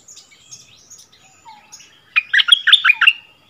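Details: Bulbul dueling in doubled song with a resident territory holder on its old ground, February 2021: faint scattered high notes at first, then one loud burst of about eight quick chirped notes near the end.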